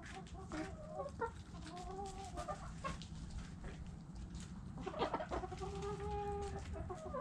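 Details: Hens clucking among a flock of chickens: drawn-out, wavering mid-pitched calls with harmonics, one near the start and a longer one near the end, over steady low rumbling background noise and clicking sounds.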